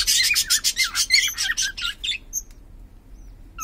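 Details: Pet cockatiel of unknown sex, owner asking whether it is male or female; a rapid burst of loud chirping, warbled notes for about two seconds, then near quiet with a few faint high pips.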